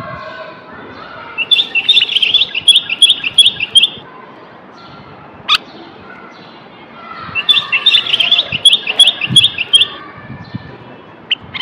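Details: Singing male common bulbul of Moroccan stock, played to stimulate males to sing and prepare females for mating: two fast series of clear, ringing repeated notes, with a single sharp click between them.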